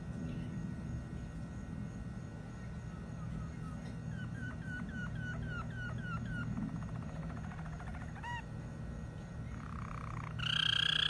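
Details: Malinois canary singing a soft series of quick repeated slurred notes, then buzzy trills and a louder rolling phrase at the end, over a steady low indoor hum.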